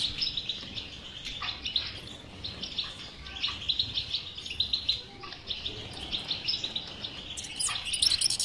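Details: European goldfinch song of the batbata type, for coaxing a quiet goldfinch to sing: phrases of quick metallic twittering separated by short gaps, a shrill trilled flourish closing the passage.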